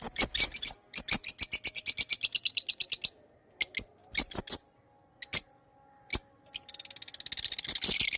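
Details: Pet lovebirds give a fast rattling chatter of rapid high chirps, then scattered single sharp notes after pauses, ending in a dense burst of shrill twittering.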